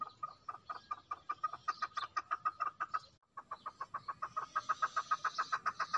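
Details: Female chukar giving a fast repeated cluck, about five notes a second, broken by a short gap before the series resumes with a faint hiss above.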